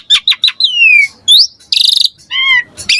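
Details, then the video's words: Asian pied starling (jalak suren) in lively gacor song, used as a lure recording to prompt other birds to sing: sharp whistled notes, a long falling slur, upward sweeps, a rapid buzzy rattle, then layered descending whistles. "Pancingan Jalak Suren Gacor Mompa Variasi Mewah / Masteran Suara Burung Jalak Agar Gacor Full Isian"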